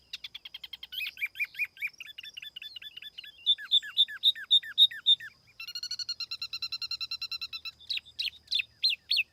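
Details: Lure-bird tiểu mi laughingthrush singing rapid repeated chirps, then falling slurred whistles in series, a fast even trill of rich notes and sharp high calls at the close, with a quiet background.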